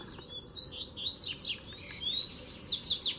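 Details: Double-collared seedeater song from three wild males arriving together to fight in a duel: rapid high whistled notes and sharp downslurred buzzy chips, tumbling continuously through the clip.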